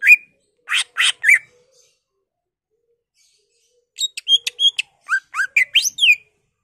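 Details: Lure song of a greater green leafbird meant to set other leafbirds singing. Three rough, broad chirps open, followed by silence, then a rapid varied string of high whistled and upslurred notes.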